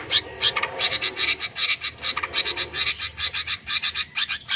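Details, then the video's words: Long-tailed shrike fill song used to stimulate sluggish shrikes: a steady stream of harsh, broadband scratchy notes, about one per half second, rasping and buzzy throughout. "Cendet BISU, MIYIK dan LELET bakal gacor dengan terapi suara CENDET Full Isian"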